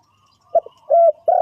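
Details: Spotted dove used to lure birds into a trap, giving a short low coo followed by two drawn-out, steady hollow coos in quick succession.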